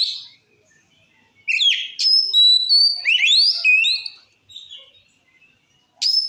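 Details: A white-rumped shama sings to provoke other shamas: after a short opening note and silence, a lively run of sharp upsweeps, steady whistles and curved slurs, then quiet and a final whistled note.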